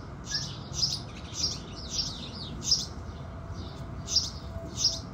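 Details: House sparrows singing in the morning sun make a run of buzzy, high chirps about every half second, a brief gap, then two more, with low ambient hum behind.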